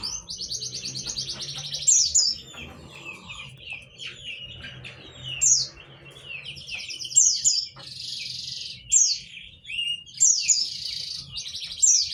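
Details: White-eye song presented as a lure to make lazy or silent white-eyes answer: high, thin chirps and buzzy trilled bursts mixed with sharp descending notes, in loud phrases every second or two, over a faint low hum.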